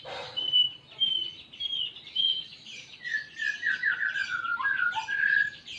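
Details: Greater green leafbird giving canary-imitation song: softer, continuous warbling with drawn-out high whistles, then a run of lower sliding notes, over a steady background hiss.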